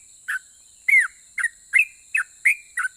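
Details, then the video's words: Sooty-headed bulbul, its song said to goad other bulbuls into answering, giving seven short whistled notes within three seconds, including one longer downslurred whistle. "KICAU SUARA trucukan gacor Ropel pajang ini RAJANYA BIKIN NYAUT trucuk lain"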